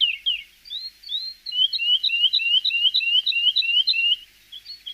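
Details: Javan bush lark singing on a training recording meant to draw a response from other birds: a few high slurred notes, a pause, then a steady run of quick rising-falling chirps repeated about three per second.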